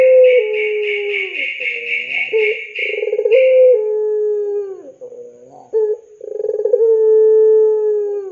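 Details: Lively puter pelung dove used as a lure and tutor call for young doves: rolling, pulsed coos leading into long, steady, low drawn-out notes, repeated in cycles, with a brief higher buzzy overlay in the opening seconds.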